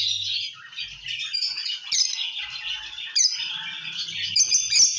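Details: Lovebird singing and chirping: a loud, continuous stream of shrill squeaky chatter and high twittering notes with sharp louder squawks breaking through, the sounds of a happy, vocal bird.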